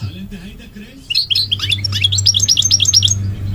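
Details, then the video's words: Goldfinch song starting after a second of low hum, then a rapid run of tinkling, chirping notes that ends in a fast repeated trill. "The elegant migratory goldfinch sings the most beautiful singing"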